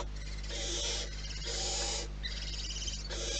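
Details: At a barn owl nest, four rasping hisses of about half a second each follow one another in quick succession over a steady low hum.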